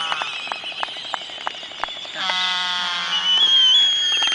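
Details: Laysan albatross mating dance, likely by younger sub-adult birds practising, late in the season: a quick series of dry bill clacks, then a drawn-out, nasal, braying trumpeting moan, over a steady high hiss.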